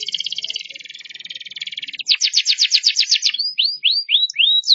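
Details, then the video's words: Canary singing: a fast, even buzzy trill for two seconds, then a louder rattling series of rising-falling notes, followed by slower separate upward-curving whistles. "كناري بناشي صوته رررهيب ويسوي حركات"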